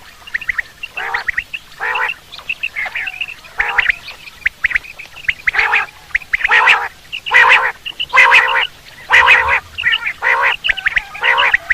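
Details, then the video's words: Quail calls played for hunting: harsh, buzzy bursts with bright harmonics, repeated about once a second in an uneven series, some louder and fuller than others, with no other clear sounds. "batair hunting quail sound"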